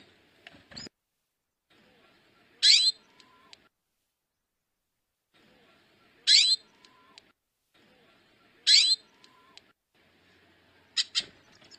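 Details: Female hooded siskin calling: four short, bright, high chirps spaced about two to three seconds apart, each a quick sweeping note, with faint soft clicks and low rustling between them.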